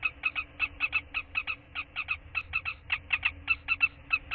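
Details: Common kestrels during a prey transfer on 7 April 2013: a rapid series of short, shrill, clipped notes, about seven a second in uneven bursts, over a faint low hum.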